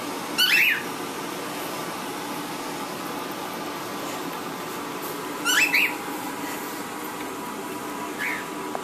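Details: One of two pet cockatiels indoors, excited as a blanket enters the room, gives two loud, harsh screeching calls, then a softer chirp, in a quiet room.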